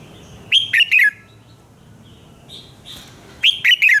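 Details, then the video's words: Red-whiskered bulbul voice for bird training, sung in the morning: a bright three-note falling phrase, a pause with quiet whistles, then the same lively phrase repeated. "luyện giọng chào mào hót sáng - Hót hay nhanh lửa"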